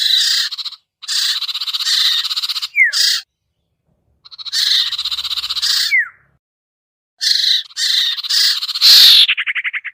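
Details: Lure call of the common iora, locally sirtu or cipoh, meant to draw wary birds down: three long rasping buzzy bursts separated by silences, short downslurred notes, ending in a fast trill.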